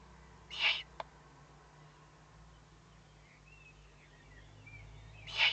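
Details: Threatened owlets warning on the evening of 22 May 2015, 20:42; harsh hissing bursts open and close the passage, nearly five seconds apart, with one sharp click between and faint chirps in the background.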